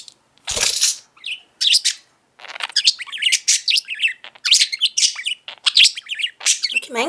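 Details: A 5-year-old male talking budgerigar, early morning, babbling nonstop in a constant high, scratchy warble of rapid clicks, chirps and buzzy mimicked phrases in quick bursts with short pauses, including imitated water sounds.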